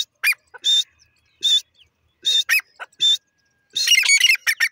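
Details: Grey francolin, known locally as teetar, giving loud shrill whistled notes at irregular intervals, followed by a burst of rapid, harsh, chattering notes near the end.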